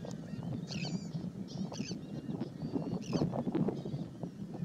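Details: American oystercatcher at Fort DeSoto, Florida, in late September 2018: short, shrill, harmonic-rich piping notes in brief bursts, several spaced roughly a second apart, over a steady low background roar.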